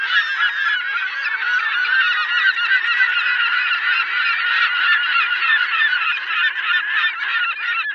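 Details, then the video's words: A flock of gulls screeching nonstop, a thick wall of overlapping harsh squawks and yelps that stays steady in loudness from start to finish. "Sirályok vijjognak. Sirály hangok."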